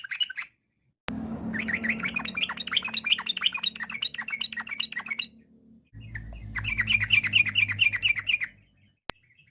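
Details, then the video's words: Yellow-vented bulbul singing a varied, rapid-fire song meant to call other bulbuls into singing; long runs of fast, bubbly chattering notes in two bursts over a steady low hum, with a sharp click near the start and end. "TRUCUK GACOR, ampuh memanggil trucuk lain ikut bunyi, kicau trucuk berfariasi, trucuk ropel gacor"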